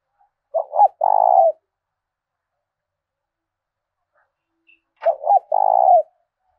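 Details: Decoy spotted dove with the prized 'thổ đồng' voice of southern Vietnam, kept to provoke and lure wild doves into fighting; two low cooing phrases about four seconds apart, each a short stuttered lead-in followed by a longer, steady, throaty coo.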